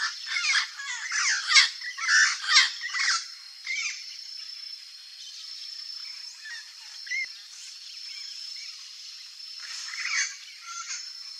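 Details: Turquoise-fronted parrot in its natural Brazilian habitat: a rapid run of coarse, rasping squawks for about three seconds, then sparse softer notes over a constant high background hiss, with another brief harsh burst late on.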